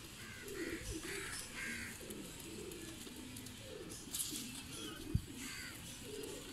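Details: Domestic Salaray Teddy pigeons give repeated low, throaty coos, each a short swelling roll, with higher chirping birds and a sharp knock near the end.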